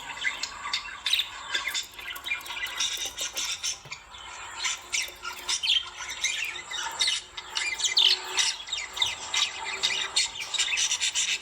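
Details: Lovebirds giving dense, overlapping harsh squawks and shrill chirps, several birds calling at once in a continuous chattering chorus with frequent loud bursts.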